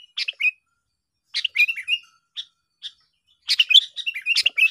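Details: Sooty-headed bulbul recorded while luring birds for trapping: scattered short chirps and slurred whistles in small bursts separated by silent gaps, ending in a busier cluster of sharp notes.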